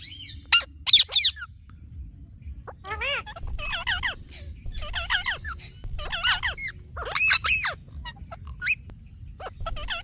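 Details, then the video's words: Indian ringneck parakeet, a talking pet parrot, giving a series of harsh, wavering chirps and screeches in short bursts of several notes with brief pauses between them. A low hum runs underneath. "Talking Parrot Chirping Sounds"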